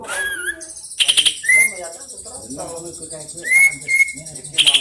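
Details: Greater green leafbird, tame and a district champion, in a long fast roll: a downslurred whistle, high rattling buzz bursts, then clear rising whistles held briefly before another quick buzzy rattle.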